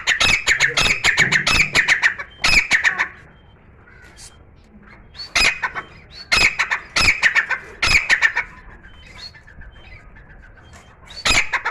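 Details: Grey francolin, a captive partridge kept in a room, singing continuously: loud harsh repeated notes in bursts of rapid squawks, with pauses between phrases.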